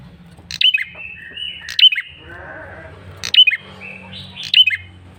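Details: Insistent lure call of a male bar-winged prinia: four sharp, high, descending chirp phrases with brief trailing notes. A soft, raspy, lower sound and a low hum run underneath.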